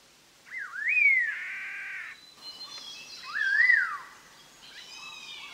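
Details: {'caption': 'Collared laughingthrush, a recording meant for trapping. Two loud whistled phrases that rise then slide down, each ending in a rich, buzzy harmonic tail, about two seconds apart. Fainter higher notes follow in a quiet background.'}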